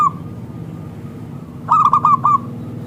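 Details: Zebra dove of local type, strong clear voice, singing as a lure for other doves: after quiet, a sudden loud burst of five or six rapid rolling coo notes lasting under a second, over low hum.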